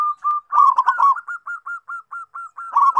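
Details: Cooing of a local zebra dove, played as a lure for birds that rarely call: two short coos, a rapid bubbling burst, then a run of eight evenly spaced soft notes ending in another bubbling flourish.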